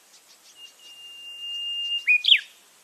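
A white-browed bulbul holds a long, level high whistle, then ends with sharp, tumbling notes.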